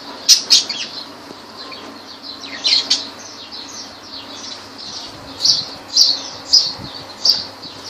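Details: High, thin squeaks and chirps from lovebirds in Laylan, Kirkuk, repeated about every half second to second in uneven bursts.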